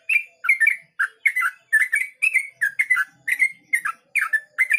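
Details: Yellow-vented bulbul singing in the ropel style, a rapid continuous delivery: bubbly, liquid two- and three-note phrases, roughly two per second, with no gaps, over a clean, quiet background.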